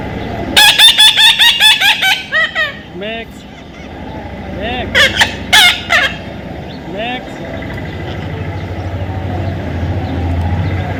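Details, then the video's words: Baby parrot in taming gives a rapid series of about ten harsh squawks, then scattered softer calls, with a steady low hum through the second half. "natural funny parrot sound"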